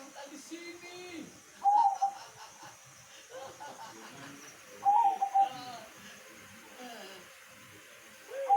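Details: Zebra dove (perkutut) of the katuranggan type singing: three loud, stuttering cooed phrases about three seconds apart, each a quick run of short notes with a rolling trill, over faint background voices and low chatter.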